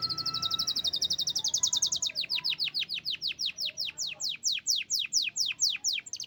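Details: Pet canary in full vigorous song: a rapid high trill rising slightly in pitch, breaking into a long series of loud, sharply descending whistled notes repeated about four per second.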